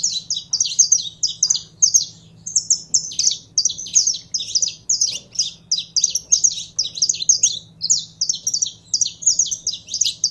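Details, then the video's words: Captive Saffron finch in full warmed-up song: a loud, nearly continuous stream of high, sharp chirps and whistles delivered in rapid repeated groups for over ten seconds. "Canário da Terra Esquentando em 3 2 1!!!"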